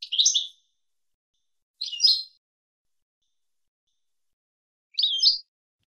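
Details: European goldfinch 2022-season song for teaching young birds: three brief twittering, slightly buzzy bursts separated by long silent gaps, up to three seconds apart.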